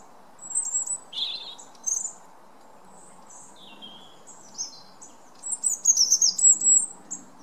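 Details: A European Robin singing at night: high, thin, warbling phrases that tumble and waver, broken by short pauses, over a steady low background hiss.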